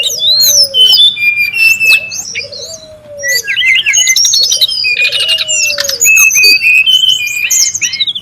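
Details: Brown-chested jungle flycatcher in the wild, calling busily as a lure sound: steady high chirps and quick trills nearly nonstop, with low descending whistles recurring through the passage.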